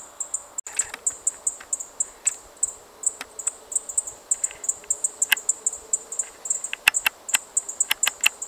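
A Chestnut bunting gives very high, thin 'zit' notes in a steady run, about three per second, with scattered sharp clicks over them.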